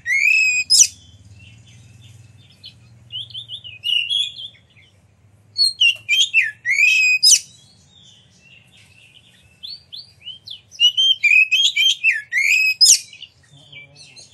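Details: Oriental magpie-robin kept as a cage bird, singing to trigger other magpie-robins to sing and fan their tails; bursts of rich whistles and sharp chattering notes separated by pauses of a few seconds, light low hum.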